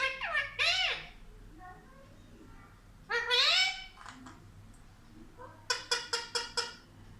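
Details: Pet parrot talking like a child indoors: strongly harmonic, speech-like phrases with rising and falling tones near the start and middle, then a rapid series of five sharp clipped syllables at the end; faint low hum throughout.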